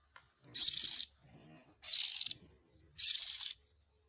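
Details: Oriental magpie-robin chick sounds for luring parent birds: three loud, grating, hiss-like bursts each about half a second long, spaced roughly a second apart, with faint low rustling beneath.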